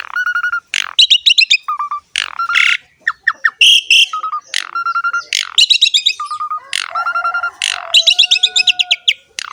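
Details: Asian pied starling (jalak suren) in lively gacor ngerek singing: harsh rattling bursts alternate with level whistled notes and buzzy chatter, delivered in rapid repeated phrases with brief pauses.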